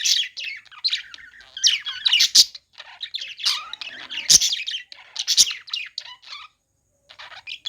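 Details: Budgerigars at play: rapid chirping and warbled chatter with scattered loud sharp clicks, ending in a pause and a few soft chirps.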